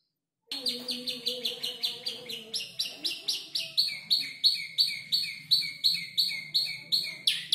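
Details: Canary aged around five months practising song with imitated tutor-bird phrases: after brief silence, a steady run of sharp, high, downward-sweeping chirps repeated roughly three times per second.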